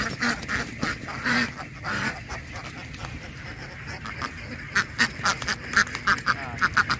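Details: Duck quacks, scattered at first, then turning into a run of short, sharp, evenly spaced quacks over the last two seconds.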